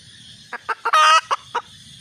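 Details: Red junglefowl hen giving three quick clucks, a loud harsh squawk, then three more clucks, over a faint steady hiss.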